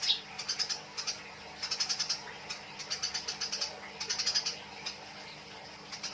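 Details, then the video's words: Eurasian tree sparrows fighting, producing chattering 'nyrecet' calls for songbird tutoring: short volleys of quick, shrill chirps at irregular intervals, a few isolated notes near the end, over a faint humming background. "MASTERAN GEREJA TARUNG || SUARA BURUNG GEREJA || BURUNG GEREJA NYRECET"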